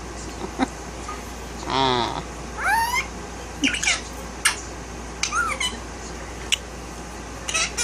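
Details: A one-year-old male violet Indian ringneck (rose-ringed parakeet), tail-less, talks in short, raspy, speech-like phrases mixed with squeaky rising whistles, with sharp clicks and taps between phrases over a steady low hum.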